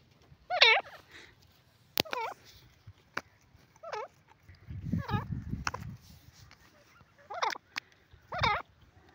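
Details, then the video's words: Grey francolin, locally called silver teetar, giving harsh, wavering harmonic calls in short bursts scattered across about nine seconds, with sharp clicks and a low rumbling noise in between. "sliver teetar,silver teetar ki awaaz,grey francolin awaz"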